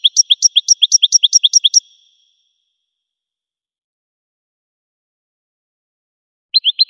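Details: Goldfinch singing for teaching purposes: a rapid run of repeated, high tinkling notes, a long quiet stretch, then the same phrase beginning again at the end.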